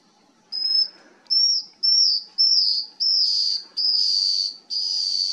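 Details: Scaled antbird (Drymophila squamata) song at Sertão São Lourenço, Bertioga, São Paulo, Brazil, October 2020: seven high, thin whistled notes, each slightly falling, about twice a second, later notes longer and buzzier.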